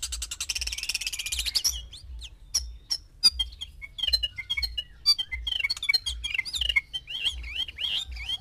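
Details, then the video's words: White-rumped shama male with six hens, singing to stir breeding: opens with a harsh buzzy rattle, then scattered sharp clicks and a quick jumble of high twisting notes, with low rhythmic thumping throughout. "MANCING BIRAHI 6 MURAI BATU BETINA DENGAN 1 JANTAN"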